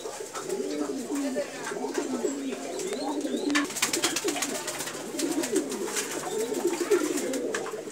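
Several pigeons coo together in low, rolling, throaty phrases that overlap continuously.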